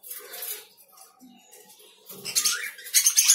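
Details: Lovebirds calling sparsely: a brief harsh chirp at first, a near-silent stretch, then a burst of shrill, scratchy chatter at the end.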